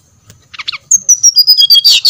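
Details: Brown-chested jungle flycatcher singing as a lure to stir other birds into song: soft chips open, then a run of loud high whistled notes descending step by step, ending in a harsh rattling burst.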